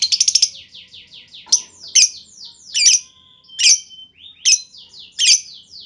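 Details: Lovebird lure sound for provoking other lovebirds to respond: a quick rattling burst, then busy overlapping downslurred chirps and loud harsh notes roughly every second.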